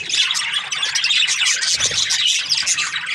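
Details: Budgerigars, kept as breeding pairs, chirping together in a dense, continuous chorus of high, scratchy warbles and squawks overlapping without pause.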